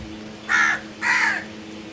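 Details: Crow giving two loud, rough caws about half a second apart, the second longer and slightly falling, over a faint hum.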